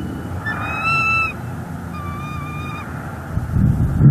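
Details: Bald eagles at a nest in northeast Florida, recorded by a live nest cam on 1 December 2021, as the male brings a fish to his mate; two thin, high, drawn-out whistled calls, then rustling.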